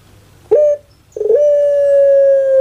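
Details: Captive puter pelung dove from Java, Indonesia: a short clipped coo, a pause, then a rough onset sliding into a long, level, sustained low coo, clean and loud against quiet background hum.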